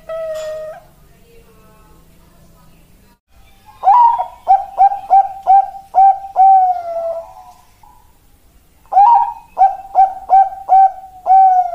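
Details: Zebra dove (Bangkok perkutut) song: two runs of short, mellow cooing notes, about six or seven in each, in a quick, bouncing rhythm, then a longer drawn-out coo.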